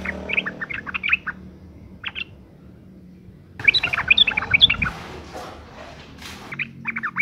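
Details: Female yellow-vented bulbul in breeding condition calling males: short runs of bright, bubbly chirps, then a gap, then a louder, denser tumble of chattering notes with some rustling noise, and a final brief burst.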